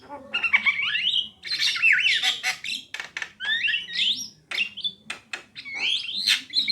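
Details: Female and male Javan mynas singing loudly: twisting whistled phrases, harsh buzzes and sharp clicks, constant and rapid.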